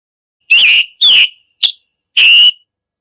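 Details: Scarlet Tanager summer song, often heard in woods: four hoarse, burry, high robin-like phrases over about two seconds, ending in the brief clipped 'chick-burr' note; nothing else is heard.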